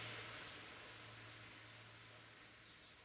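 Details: Nestling Black redstarts, third brood of the year, fed by adults on 21 July 2012; shrill high chirps repeated around three times a second, with a faint low hum beneath.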